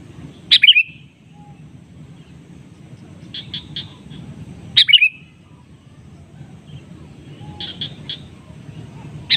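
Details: Sooty-headed bulbul (kutilang) in a natural-voice lure recording, calling to a rival that answers. Two loud, sharp chirped phrases about four seconds apart, each followed a few seconds later by a softer run of four quick notes, over a steady low rumble.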